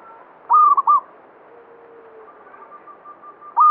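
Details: Local zebra dove, banyumili type, singing briskly: one strong broken coo phrase of quick stuttered notes, then a faint level whistle-like coo, and the start of another loud phrase at the end.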